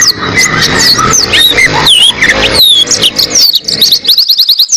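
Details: Oriental white-eye kept to tutor cage birds, pouring out a fast jumble of high thin slurred whistles and twitters, ending in a quick run of evenly spaced sharp chips, over low rumbling background noise.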